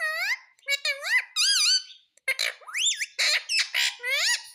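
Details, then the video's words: Talking rose-ringed parakeet, said to repeat 'Mummy Papa', producing a rapid string of high, nasal, word-like syllables that swoop up and down in pitch, with a brief break midway before the chatter resumes. "Parrot Sound _ Mummy Papa Bolne Wala Parrot _ Ringneck Parrot mitthu talking"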